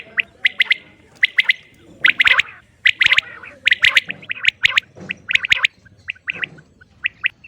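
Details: Common quail, a female, calling in quick rough bursts of two or three clipped notes, about seventy-five a minute, unevenly spaced, with a faint low hum beneath.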